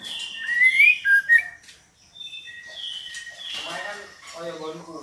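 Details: A female white-rumped shama calls to stir a male into singing: bright rising whistles and short slurred notes, followed by softer flat tones and a low rattling chatter.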